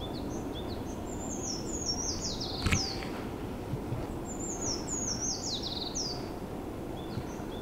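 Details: Eurasian treecreeper singing in a university research forest at Tomakomai, Hokkaido, Japan, its song resembling a white-eye's: two thin, very high phrases, each sliding down the scale, over a steady low rush of wind or water.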